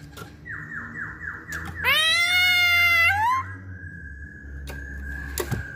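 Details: Masked laughingthrush in full song: quick falling whistled notes lead into a loud, grating, harmonic squawk for over a second, then a thin steady whistle and a few clicks.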